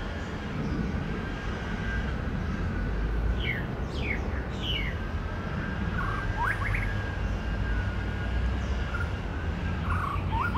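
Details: Mimicking male white-rumped shama in woods, giving a series of sharp descending and rising whistled notes and brief warbles spaced through the clip, against a constant low-pitched roar and hum.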